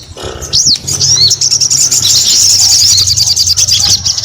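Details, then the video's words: Rising whistled note from a sogon opens a steady, rapid chatter of shrill chirps repeated several times a second, with a low hum underneath. "SUARA SOGON GACOR"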